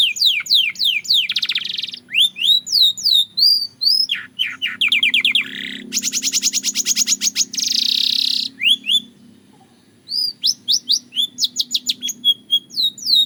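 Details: Song of a Belgian canary kept for singing practice: quick descending chirps, dense buzzy rolls and long rattling trills, a brief pause, then renewed fast sweeping notes; faint low background hum.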